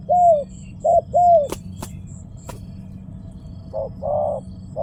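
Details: Spotted dove cooing: three mellow hollow coos, short then longer, then a pause broken by sharp clicks and two more coos, over a steady low hum and faint high whine.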